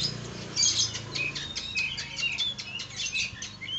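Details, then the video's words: Oriental magpie-robin singing an elaborate varied song used as tutor material: a quick string of sharp chirps and short whistled notes with rising and falling slurs, with a brief wing flutter near the start. "Masteran burung kacer isian mewah"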